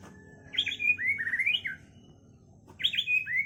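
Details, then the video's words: White-rumped shama in a cage singing a mixed repertoire: jumbled whistled phrases sliding up and down, a short gap, then the same phrase starting again. "MURAI BATU ISIAN KAPAS TEMBAK SAMBUNG LOVE BIRD"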